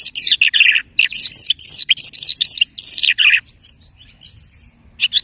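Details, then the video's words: Imitative lark song full of rapid chirps and arching whistled notes, which fades into softer, thinner phrases before a final brief burst. "The lark imitates the singing of hundreds of birds."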